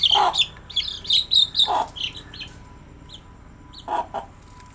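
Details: Baby chicks chirping busily: clustered high, falling peeps repeated in quick succession over the first two seconds, broken by lower clucking notes, then sparse single peeps.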